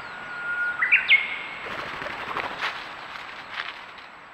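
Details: A White's thrush (Zoothera dauma) at Aobayama, Sendai, Miyagi, Japan, filmed by trail camera on 24 April 2019, gives thin, pure whistles stepping upward in pitch, followed by soft rustling and scattered background chatter.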